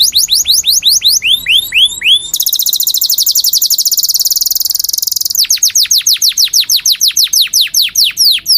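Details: Canary in full song, including a mimicked ciblek (prinia) phrase: sweeping high down-slurred notes repeated rapidly, then a long dense buzzy trill, then a run of steep falling whistled sweeps, loud and clear throughout.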